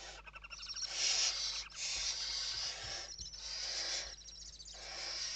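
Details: Western barn owls in a nest box in Spain at evening feeding, 29 November 2023: continuous overlapping rasping hisses rising and falling in blocks, with scratching and shuffling movement sounds.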